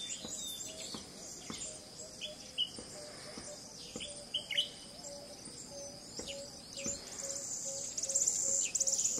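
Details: Western red-billed hornbill calling in The Gambia in November 2018, giving a long run of low, evenly spaced clucks, roughly two per second. Sharp clicks, high insect buzzing and brief chirps of other birds are heard around it.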